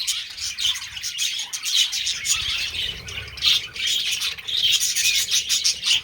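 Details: Budgerigars during mating give harsh squawky chirps and high warbles, louder in bursts over continuous chatter.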